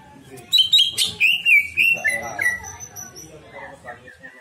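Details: Greater green leafbird song meant as a lure that brings out a repertoire of imitations: loud, ringing whistled phrases sliding and trilling, then softer chattering notes fading away.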